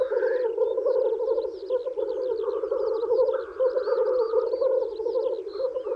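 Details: Male black grouse lekking to woo females in spring: steady, pulsing low bubbling coos, one hissing rush at the opening and another around three and a half seconds, beneath busy high chirping of other birds.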